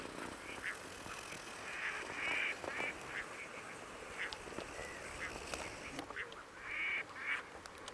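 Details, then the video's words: Crested duck recorded during monitoring on 18 June at the Coyle River estuary, Santa Cruz, Patagonia, Argentina; short nasal calls at intervals over a steady noisy background, with faint clicks. "Pato Crestón Lophonetta specularioides"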